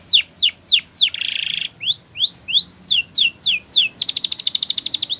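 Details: Spanish Timbrado canary in a training song: falling sweeps, a buzzy roll, rising whistles, more descending slurs, and a long rapid metallic trill at the end.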